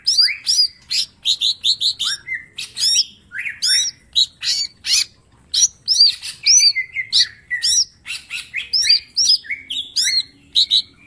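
A green leafbird sings a rapid, unbroken stream of bright, varied whistles and chattering bursts, with sharp rising and falling notes packed close together.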